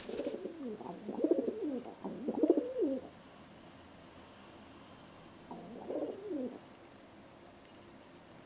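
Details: Very excited pet pigeon spinning on a hand indoors: two or three throaty, rolling coos in quick succession, a pause of about two seconds, then one more coo phrase.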